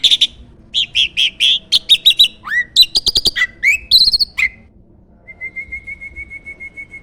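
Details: A prize-winning starling kept for song contests, whose loud song serves as a training master: a string of quick scratchy chirps, a few upswept whistles, then a long, steady, thin whistled note to finish.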